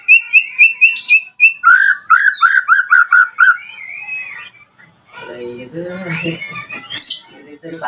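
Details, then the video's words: Lure song of a white-rumped shama to prompt other shamas to sing: about eight quick repeated whistles, then a run of lower downward-slurred notes, followed by scratchy, varied chattering and a sharp high note. "PANCINGAN AMPUH MURAI BATU AGAR CEPAT BUNYI"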